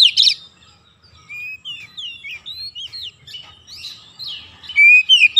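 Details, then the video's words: White-rumped shama singing, meant as therapy for lazy shamas: a loud burst at the start, then spaced slurred whistles and chips rising and falling, building to bright repeated notes over the last second. "TERAPI KACER MALAS BUNYI LANGSUNG NGOCEH GACOR TANPA HENTI"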